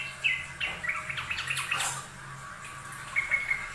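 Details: Yellow-vented bulbul, a master recording for training birds: a few short chirps and slurred notes, with bursts of broadband rustling noise in between and a low steady hum underneath.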